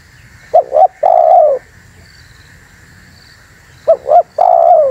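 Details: Spotted dove calls meant for luring wild birds, two phrases each of a quick doubled coo then a drawn-out, slightly falling coo, over a steady hum.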